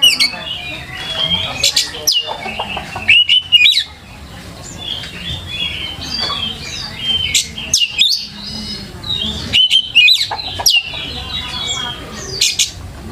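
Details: Oriental magpie-robin song recorded as a lure to teach young magpie-robins sounds and get them singing. Quick scratchy twitters and thin whistles run in irregular bursts, with a quieter stretch in the middle and steady hum behind.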